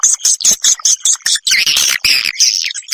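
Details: Edible-nest swiftlet call played as a roosting lure: a quick run of sharp, high chirps, then a longer buzzy, warbling twitter to the end.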